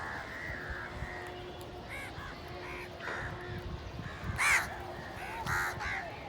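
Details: Hungry village crows fighting over food, giving loud, hoarse, arched caws in scattered bursts. Two harsher, louder caws stand out near the end over steady low background rumble.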